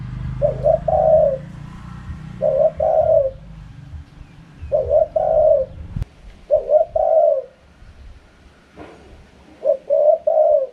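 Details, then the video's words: Repeated wild-style 'karam pa' cooing of a spotted dove: six low, husky phrases of a short stuttered coo then a longer drawn-out one, spaced a couple of seconds apart, faint outdoor background. "เสียงนกเขาใหญ่ คารมป่า"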